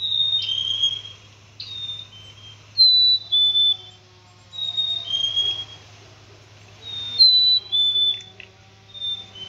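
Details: Clean, sweet whistles from a black-capped chickadee, each phrase a high tone dropping to a slightly lower one, repeated roughly every two seconds; low constant hum underneath.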